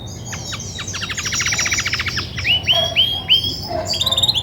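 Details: Grey and white Belgian canary hen, which sings much when ready to brood, opens with a long rapid rattle of clicking notes, then four or five clear curved whistles repeated evenly, ending with high twitters.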